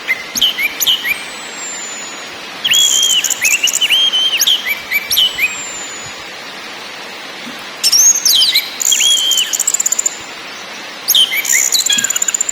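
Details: Orange-headed thrush lure song in the ngakrak, ngeplong and nyiul styles, meant to make caged birds sing: bursts of clear looping whistles mixed with dry high rattles, separated by short pauses over a faint background hiss.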